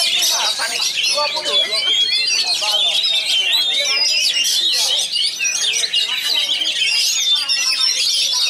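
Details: Kacer singing its rich, fast, closely packed song material from Pasbar: an unbroken stream of high whistles, buzzy trills and sweeping notes, with some lower chattering sounds in the background.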